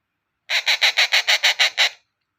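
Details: Rose-ringed parakeet; begging call; hungry chick begging for food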